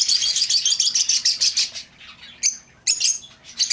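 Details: Escaped-lovebird lure sound: a fast stream of piercing high chirps, then a pause and a few separate shrill calls.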